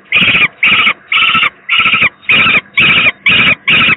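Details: Peregrine falcon youngster, the second chick and very unwell, at the Gdynia PGE power plant in Poland, 18 May 2023; eight drawn-out, scratchy screeches evenly spaced about half a second apart, with a soft background hum.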